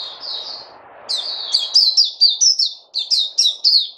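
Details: White-eye (puteh) in a cage, fed fruits, recorded 29 August 2020, a soft high whistle followed after a pause by a lively run of loud sharp descending chirps, with low hum early on.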